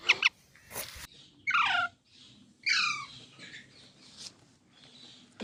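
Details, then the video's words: Baby green Indian parrots, known as mitthu, making two loud falling squawks with fainter chattering between them in a quiet room. "Baby Parrots Sounds"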